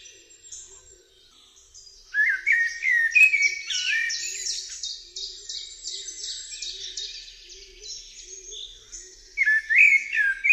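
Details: Eurasian blackbird (Turdus merula) singing: low fluted, warbling phrases that swoop and rise, at two and ten seconds, each closed by thin high twittering, with other high chirps and a faint low hum between phrases.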